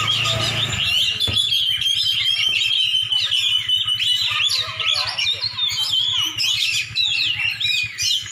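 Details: Champion Oriental magpie-robin from Aceh in a rich, varied song of quick whistled phrases and chattering trills over a steady high ringing tone, with a brief low hum at the start.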